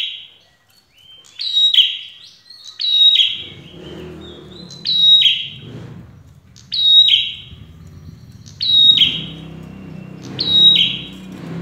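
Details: Red-headed prinia song used to make other birds reply: high, clipped whistle-then-buzz phrases repeated roughly every two seconds over a steady low rumbling background noise.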